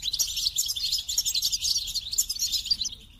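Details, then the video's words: Unbroken, energetic goldfinch twittering: dense, rapid, high metallic notes and trills filling the whole three seconds. "The Captivating Call of Goldfinches: Musical Wonders of Nature"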